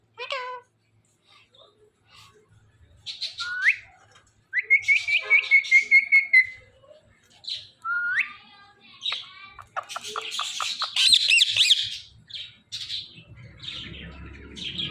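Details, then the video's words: Talking parrot: a string of whistled, rising notes and a long wavering tone, followed by quick clicking chatter and harsh bursts. "Talking Parrot"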